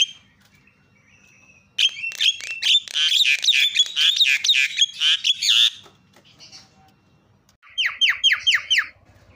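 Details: Javan myna loud calls played to provoke other mynas into calling: a quiet start, then a burst of harsh rapid chattering squawks for about four seconds, a pause, and a final run of five sharp repeated notes.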